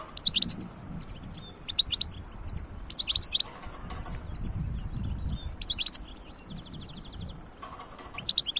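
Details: Wild goldfinch singing in 2022, a run of rapid, jingling twitters and a brief dry rattling trill, repeated in bursts over faint low background noise.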